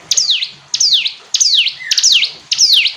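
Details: Hill prinia singing clearly: five loud, high notes, each a quick sharp onset then a steep whistled downslur, repeated roughly every 0.6 seconds over faint background hiss.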